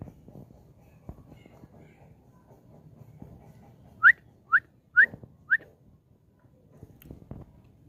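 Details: A pet Lutino cockatiel, brought up to a sunny rooftop in the morning because its room was cold, gives four short, clear, upward-sweeping whistled chirps about half a second apart, over a low outdoor rumble.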